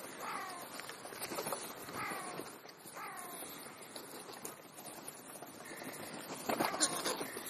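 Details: Crow feeding, calling repeatedly: harsh, grating caws about once a second, four in a row, then a pause and a further longer caw, over steady outdoor background noise.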